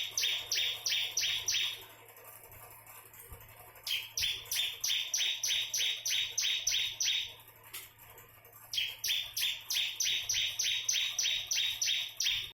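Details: Bar-winged prinia of the crystal type singing its unique nembak song: long strings of loud, evenly spaced two-part chirps falling in pitch, three runs with brief pauses, and faint softer notes between them.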